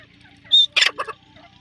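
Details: Black francolin, known locally as teetar, a bird native to the Indian subcontinent: a sharp high whistled note, then three quick harsh, grating bursts in under a second, with faint twittering of other birds behind.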